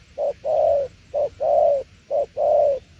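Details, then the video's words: Spotted dove cooing in the style locally called "tiểu liên nước": three low, mellow pairs, each a short clipped note followed by a longer, sustained, slightly falling coo, evenly spaced about once a second over faint background hum. "Đồng tiểu liên nước chơi quá hay luôn ae ơi"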